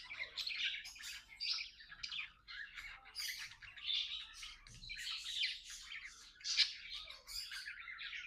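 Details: Companion budgies talking and singing together as pets: a dense stream of squawky chirps and buzzy chatter in quick bursts, with no break across the whole stretch.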